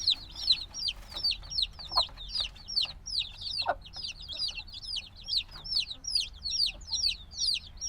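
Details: Noisy black chicks only days old, still needing their mother's warmth: an unbroken stream of high, shrill cheeps from many birds, notes arching and falling, plus faint soft knocking sounds beneath.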